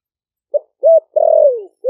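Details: Spotted dove kept caged four months in Ninh Thuận after wild capture, calling other doves with its deep 'thổ đặc' voice. A short note, a rising hoot and a long, slurred falling coo, with the next note starting at the end.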